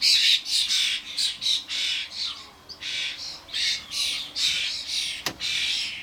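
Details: Common starlings with fledglings around a garden bird feeder: dense, grating squawks in rapid succession, one brief dip in calling midway, then more rasping bursts and a sharp click.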